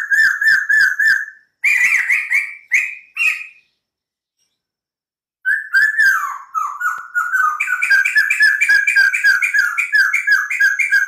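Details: A white-crested laughingthrush in full, lively song: runs of quick repeated whistled notes, a pause of about two seconds, then a long stream of rapid chattering, slurred phrases that rise and fall.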